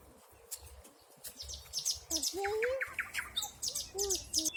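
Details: In a spring forest in 2020, high chirps and trills build after a quiet start, joined by a lower clear whistled slur and rapid overlapping notes from several birds.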